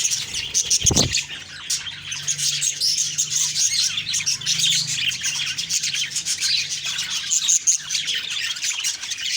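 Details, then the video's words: Morning budgie chirping from October 2, 2023, busy overlapping twitters and warbles throughout, with one brief low thump near the start. "Beautiful morning birds chirping sounds/Budgie sounds"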